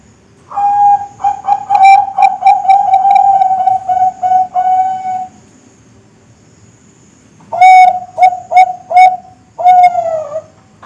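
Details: Bangkok-type zebra dove (perkutut) song in two bursts: a long, quick run of soft coos blurring together, a pause of about three seconds, then four crisp short coos and a longer closing note.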